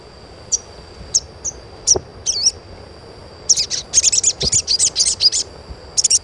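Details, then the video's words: Asian pied starling giving chirps for training untrained starlings to sing: spaced single high chirps and a twisting warble, then a rapid dense burst of bright chirps lasting two seconds, with a steady high whine throughout. "SUARA CUITAN SOGON UNTUK PANCINGAN SOGON BAHAN AGAR CEPAT GACOR"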